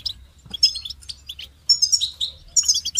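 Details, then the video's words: Goldfinch song: scattered high chirps give way to a sustained run of bright twittering and buzzy trills, ending with another lively burst of tinkling notes. "Amplifying the Goldfinch's Voice"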